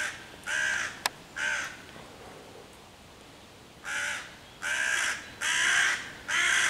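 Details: Hooded crow cawing loudly on 11 June 2023 while harassing five young raccoons in a tree near their hollow, trying to drive off the predators and call other crows. Harsh, broad caws, a double near the start, then a rapid run of four.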